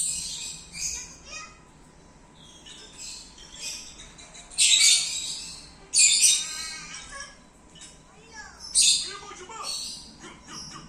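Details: Female lovebird kept for song contests: bursts of shrill, buzzy, chattering notes, some long and harsh, broken by short pauses, with faint twitters between the bursts and a low background hum.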